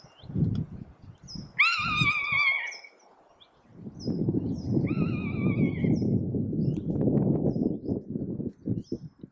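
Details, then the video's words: Rough-legged Buzzard alarming in Abisko in July 2023, two loud, drawn-out mewing screams slurring downward a few seconds apart over steady wind rumble. "Rough-legged Buzzard alarming"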